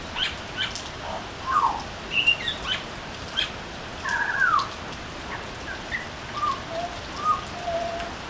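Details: A butcherbird singing on a veranda: a loose string of clear, fluted whistles, some rising and some falling, spaced irregularly over a steady hiss like light rain.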